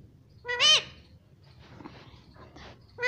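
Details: Pet Indian ringneck parrot, a talking bird: one loud, harsh, rising squawk, then softer scratchy murmurs. A second strident call begins at the end.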